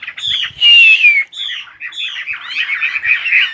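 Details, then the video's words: Bird giving a clear, drawn-out downslurred whistle followed by quick squeaky chirps and a busy twittering warble. "chim hót"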